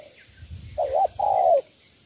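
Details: Spotted dove, Cà Mau, Vietnam, three-note coo style: a wavering warbled note followed by a long, steady, slightly falling hollow coo, over low rumbling background.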